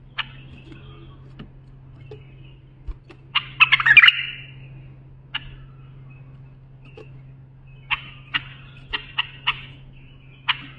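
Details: Bulbul song, offered as a model for tutoring young bulbuls: scattered short sharp notes, then a dense warbled burst of fluttering whistles, and later a quick run of clipped chirps, over a steady low electrical hum.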